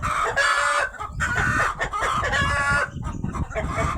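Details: Rooster crying out after a hen has laid eggs: loud, sustained harsh calls in several long bursts separated by brief pauses, with a man's voice and background noise.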